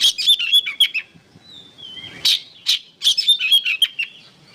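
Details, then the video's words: Lively oriental magpie-robin, used to train other songbirds, giving quick chattering chirps, a descending slurred whistle, then more rapid chips and twitters. "MASTERAN BURUNG KACER GACOR"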